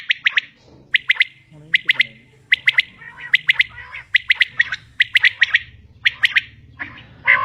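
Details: Common quail, a female calling: sharp three-note bursts repeated roughly every second over a steady low hum, with softer broken chirps between the phrases.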